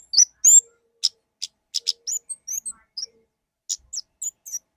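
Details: Orange-headed thrush of the kemade ngalas type giving a lively song. Loud upward-sweeping whistles open the phrase, followed by rapid, uneven clicks and chips and scattered high tweets.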